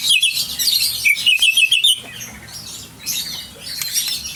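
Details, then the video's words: Aceh white-rumped shama, a champion singer, pouring out a quick series of high chirps and trills for about two seconds, then quieter, softer notes fading in the background. "Murai Batu Aceh Sang Juara original"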